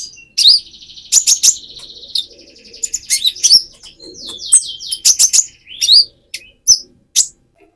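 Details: Van Hasselt's sunbird in speckled plumage, singing to stir up another sunbird: high chirps over a sustained thin buzzing tone, with downward-sliding notes and sharp ticks in irregular sequence.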